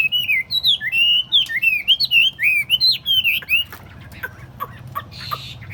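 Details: Tame table-set Chinese hwamei sings a fast series of bright, twisting whistles for about three seconds, then shifts to softer scattered chips and a brief hiss.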